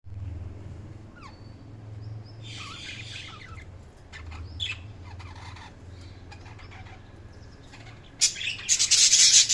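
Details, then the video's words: Budgerigars chirping: scattered short warbled notes and squeaks, a loud burst of harsh chatter near the end, over a low steady hum. "Budgies Sounds| Budgies Chirping sound"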